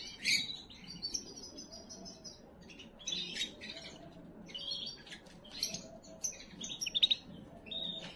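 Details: Canary song intended to excite females for breeding: repeated high, buzzy trills and chattering phrases separated by short pauses, with a few sharp clicking notes, over faint background hum.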